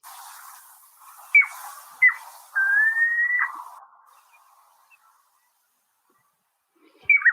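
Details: Piping Plover alarm call, likely defending eggs or territory: two short, clear whistled peeps, then a longer, steady, slightly rising piping note, and a final peep after a pause, over a soft background hiss.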